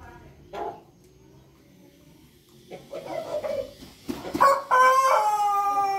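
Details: Pelung rooster crowing: scattered clucks and short calls lead into a loud, rich, harmonic crow that begins in the last second and a half and is still going at the end.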